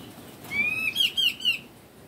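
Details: A young hand-reared Sumatran laughingthrush, about one month old and very tame, gives a thin, rising whistle, then three quick, high, slurred notes about a quarter-second apart, in a quiet room.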